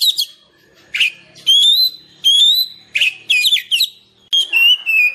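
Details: Song of an Oriental magpie-robin, a natural sound for coaxing reluctant caged birds and attracting wild ones: sweet level whistles alternating with scratchy twittering bursts, separated by clear pauses.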